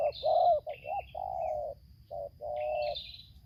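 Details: Spotted dove song of the 'tarik akar selang nguku' style, from a decoy-versus-wild-bird contest in Lampung, Indonesia: a few low, burry coos, one long and level, with faint high twitters from other birds.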